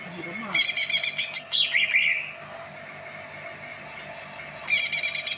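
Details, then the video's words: Greater green leafbird, known for its many voices that stir other birds, giving a quick series of high, evenly spaced chips, a slurred twitter, a quiet stretch, then the chip series again. "burung cucak ijo bisa bersuara banyak, Bikin terpacing burung lain"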